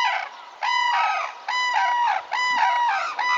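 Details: Red-crowned cranes (Grus japonensis) at Tsurui, Hokkaido, Japan, give loud, ringing trumpet notes, four drawn-out bugling calls in quick succession, each slightly wavering and strongly resonant, with a soft background hiss.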